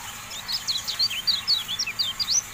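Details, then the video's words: Javan white-eye (kecial kuning) song from a masteran tutor recording: a continuous run of quick, thin, high chirps and short slurred whistles, about a dozen notes in under three seconds, over a faint steady hiss. "MASTERAN TERBARU KECIAL KUNING, FULL AUDIO"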